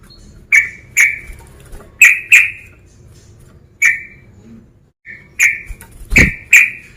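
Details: Rival-provoking calls of a male sooty-headed bulbul: ringing chirps given singly and in pairs, a gap, then a fast run of four, with one low knock among them.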